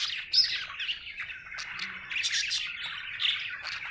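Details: Happy budgie chirping: loud sharp squeak at the start, then bursts of twittering and scratchy chatter, louder bursts near the middle and end.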